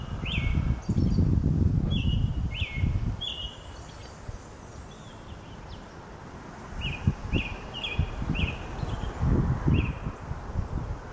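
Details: Brown-headed Nuthatch pair, male and female, collecting food for chicks in Lafayette County, Mississippi, on 4/9/2020, sunny, cool, slight breeze; short squeaky down-slurred notes come singly and in quick pairs over low rumbling wind.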